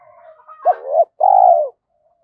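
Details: Spotted dove coo from a lure recording meant to make young captive doves coo quickly. One phrase of a short upturned hoot sliding into a longer note, a gap, then a long, slightly falling mellow coo.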